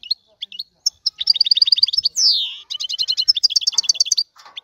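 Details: Excited male European goldfinch singing to stimulate a female to mate: rapid twittering trills of high metallic notes, buzzy rattles and a long descending wheeze, in fast repeated bursts.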